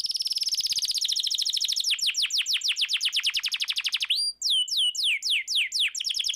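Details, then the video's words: Canary song aimed at getting quiet canaries singing: a very rapid buzzy trill, slowing into a run of distinct falling notes, a brief pause, then clipped high whistles followed by slower downward sweeps. "Suara burung kenari gacor cocok buat pancingan kenari macet langsung gacor"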